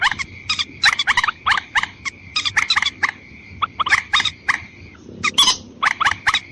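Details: White-breasted waterhen lure call to pull in males and females: rapid, grating notes repeated in regular bursts, with a level thin tone running through most of the recording.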